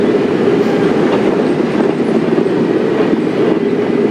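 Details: Continuous rumbling drone of a vehicle during a morning safari drive, even and unbroken, with no animal voice in it.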